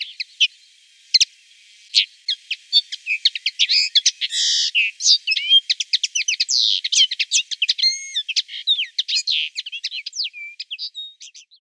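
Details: Common linnet singing in the background. A few scattered opening chirps lead into a fast, continuous twittering run of short buzzy notes, quick trills and brief clear whistles.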